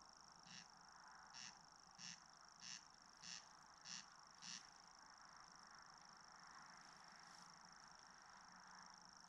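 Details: Corncrake in summer 2019 at Ridala, West Estonia, recorded on a GoPro Hero 7 Black: seven harsh rasping bursts about every 0.6 seconds, then stopping, over the continuous high thin reeling of a Common Grasshopper Warbler.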